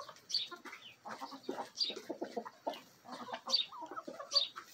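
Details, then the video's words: Backyard Marans, Araucana, Easter Egger and Olive Egger hens with a Bielefelder and Golden Cuckoo Marans mix rooster in a feeding frenzy. Steady run of short, low clucks, about one a second, mixed with thin high chirps. "ASMR Bielefeld Marans Rooster & Hens Feeding Frenzy!"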